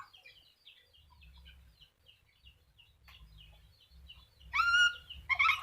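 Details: Black-capped lory giving two loud, harsh screeching bursts near the end, after several seconds of faint, scattered chattering notes over a low background hum.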